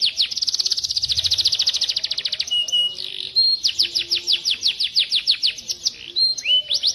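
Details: White-rumped shama song for tutoring other birds: begins with a dense, fast high trill, then a short low buzzy phrase and long runs of ringing downslurred whistles with occasional rising swoops.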